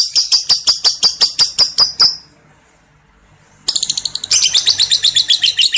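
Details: Lovebird in long ngekek ngetik song, a pancingan to set other birds singing: fast, evenly repeated high chattering notes for two seconds, a short silence, then the rapid shrill chatter resumes even more densely.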